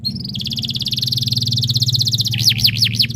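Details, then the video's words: Canary song played to prompt other canaries to sing: a long rapid high trill, then looping up-and-down whistled notes, over a steady low hum. "MASTERAN BURUNG KENARI ABAD INI - BIKIN KENARI LAIN IKUT BUNYI"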